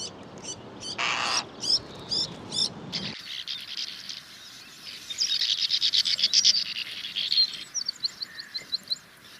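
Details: Sand martins in Spain twittering, dry chirps in quick bursts, several birds calling over each other, over steady background noise.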